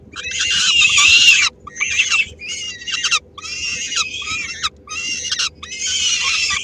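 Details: Female peregrine falcon feeding her three-week-old chicks a small morsel in Helmond, 13 May 2016, while some take it from her; piercing, grating screams come in long bursts, the first lasting over a second, followed by several shorter ones.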